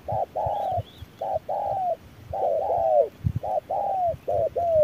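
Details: Under fierce noon sun a wild spotted dove answers a decoy, its coos in short-long pairs with the longer note sagging, plus a faint high chirp and scattered low knocks.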